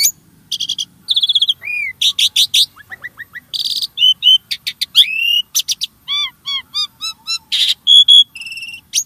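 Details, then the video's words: Long varied starling song used to encourage caged birds to sing, mixing rapid clicks, falling whistles, buzzy notes and repeated bright looping phrases, with brief gaps between bursts. "Kicau Burung Jalak | Cocok Untuk Pancingan"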